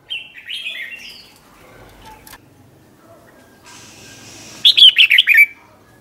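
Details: Red-whiskered bulbul singing a 'double' style song, recorded for training young birds: a faint warbled phrase early, then one loud burst of five quick, bright, wavering notes near the end.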